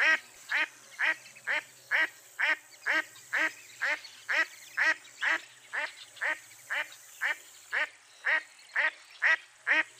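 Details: A long run of about twenty rhythmic, raspy quacks from a mottled duck, delivered at a steady pace near two per second, slightly quieter and unchanging in tone.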